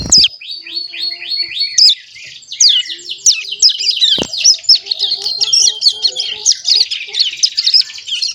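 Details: A juvenile Hill Prinia, just over a month old and tutored with recordings of white-eye and canary song, gives a run of descending high chirps that breaks into a continuous scratchy twittering warble.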